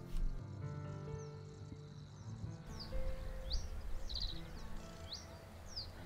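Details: A male common reed bunting in spring reedbed, perched on a willow defending its territory, gives a short run of brief, high chirping notes, roughly two per second, after soft music fades, over a low rumbling background.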